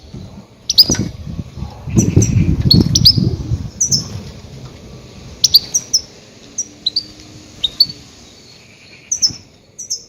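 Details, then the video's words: Goldfinch calls used to lure grey-headed goldfinches: high, clipped tweets and short slurred notes spaced through the clip, over a low rumbling background noise early on. "Громкие крики щегла для ловли и охоты на Седоголового щегла"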